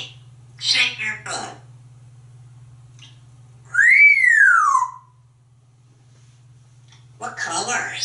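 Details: Talkative male African grey parrot kept as a pet, in a bathroom in a romantic mood, kissing and waving at a towel: one loud clear whistle sweeping up then gliding down, framed by short chattery speech-like sounds.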